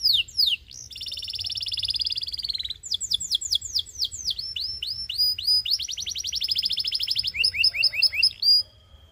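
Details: Tutor song of a Belgian canary for teaching young birds: quick chirps, a long rattling trill, repeated downward-swept whistles, another rapid rolling trill, then a short run of falling notes.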